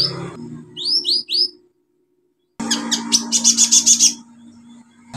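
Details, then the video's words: Olive-backed sunbird singing hard, used as a therapy lure for birds that have stopped singing: three quick rising whistled slurs, a gap, then a rapid buzzy trill of high notes over a low steady hum. "KOLIBRI NINJA SUPER GACOR NEMBAK ISIAN BUAT TERAPI PANCINGAN KOLIBRI NINJA MACET BUNYI"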